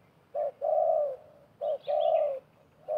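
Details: Wild spotted dove answering a decoy dove in a contest of calls during bird trapping. A short coo then a long even coo, repeated twice, with faint higher chirping from another bird and a low background hum.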